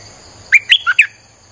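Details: Streak-eared bulbul song played to lure wild birds: one quick phrase of four bright, sharp notes jumping up and down, clear against a quiet background.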